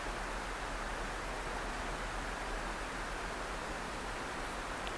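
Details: Steady broadband rushing noise, like wind or flowing water, fills the whole recording with no animal voice heard.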